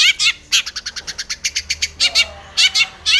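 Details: Long-tailed shrike song, aggressive, as if challenging a rival: harsh buzzy notes open and close a fast run of a dozen clipped chips, followed by paired rasping calls.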